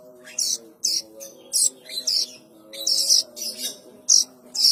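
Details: Rasping begging-type calls of a plain prinia chick, used for luring adults: rapid harsh buzzy bursts, some run together, uneven rhythm, over a constant low humming background.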